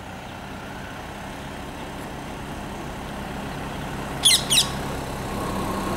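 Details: Two quick, harsh, shrill screeches from a rose-ringed parakeet, close together near the end, over a steady rumble of traffic; Al Qurm park, Oman, 24 December 2011.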